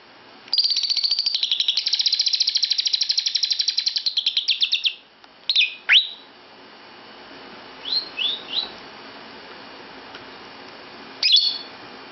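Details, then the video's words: Lovebird in a bedroom, joining in: a fast, dense buzzy chattering run of rapid repeated high notes lasting about four seconds, then a few sharp separate chirps and short squeaks with pauses between. "Lovebird Ikut Nimbrung di Kamar Tidur"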